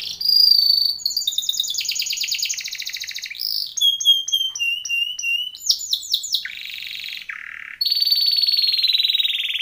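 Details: Timbrado canary training song: a loud, fast sequence of rolled trills that shifts through metallic repeated notes and ringing pure whistles, ending on a long, steady, slightly falling whistled roll.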